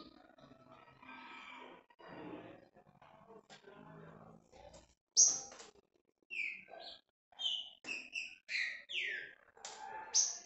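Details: Green-winged saltator singing in the style called escorrida; human talking fills the first half, then a series of clear, loud whistled phrases and sharp notes in quick succession.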